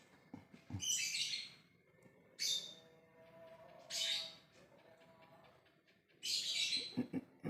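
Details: Lovebird calling others with ngekek: four shrill rasping squawks at uneven intervals, some brief and clipped, others longer, with low knocking sounds and a soft background hum.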